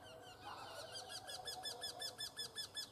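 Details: Eurasian wryneck, a long run of evenly spaced, nasal, downward-arched notes of steady pitch, about thirteen in three seconds, after a brief low murmur at the start.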